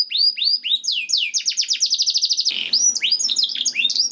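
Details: Masteran canary song used to encourage other canaries to sing. Separate rising whistles speed into a fast rolling trill, followed by a buzzy burst and varied chirped notes.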